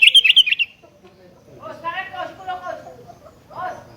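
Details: Sooty-headed bulbul challenging a rival: a quick string of bright chattering notes lasting under a second, followed by lower, murmuring voice-like sounds.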